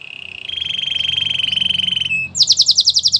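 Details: Singing canary meant to prompt other canaries to sing, holding a long even rolling trill for nearly two seconds, then switching to a fast series of high, sharp repeated notes about five per second.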